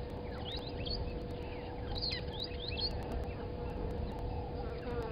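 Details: Brown-headed parrots at Gowrie dam waterhole, Djuma Game Reserve, Sabi Sand, South Africa, 17:24, give repeated shrill, squeaky screeches and chatter in quick bursts over a steady low hum and constant background noise.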